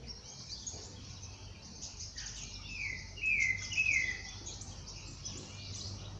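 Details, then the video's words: Dawn chorus in nature: after a stretch of hissing high background, two bright, falling whistled notes ring out close together midway, then fade back into the steady ambient buzz. "pássaros cantando no amanhecer"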